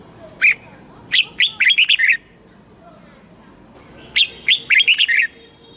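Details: Thai red-whiskered bulbul singing in the southern master-song style used to rouse caged birds and teach young ones: two quick bursts of sharp chirped notes, each run of about six, separated by nearly two seconds of quiet.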